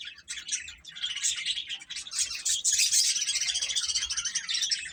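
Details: A crowd of feeding chicks chirping nonstop, a dense, shrill chorus of rapid high peeps that swells louder through the middle and stays steady.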